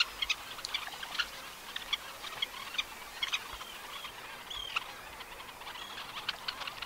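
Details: Red-necked phalaropes on Flatey Island, Iceland: scattered short, sharp chirps and twitters at irregular intervals, set against steady wind-like noise.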